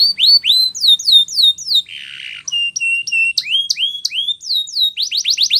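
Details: Spanish Timbrado canary song for training: loud tours of rising and falling whistled notes repeated in quick series, a short buzzy burst in the middle, then rapid upswept notes at the end.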